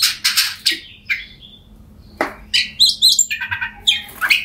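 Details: Oriental magpie-robin song intended to stimulate mute birds into singing: short harsh bursts, a pause, then a run of quick high chirps and whistled notes.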